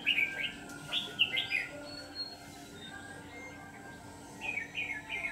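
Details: Decoy red-whiskered bulbul singing during a trapping session: a burst of rapid, lilting warbled notes opens the recording, followed by a quiet gap, then another short chirpy phrase near the end, with faint hum underneath.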